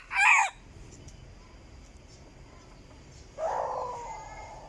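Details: Decoy chicken, recorded 2022: a short, loud, harsh burst at the start, then after a quiet gap a longer, steady, harmonic crow-like call drawn out for about a second, with faint background hiss.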